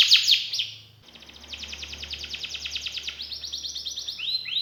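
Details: Canary with prized song phrases: bright falling notes, a short pause, then a quick trill of descending notes and rising sweeps over a faint low hum.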